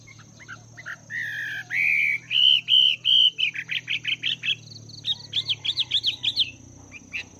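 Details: Wild-type Chinese hwamei, two months in a cage, training its voice in the morning: a run of clear whistled notes near the middle pitch, then a fast series of short rising-falling phrases, with a steady faint hum throughout.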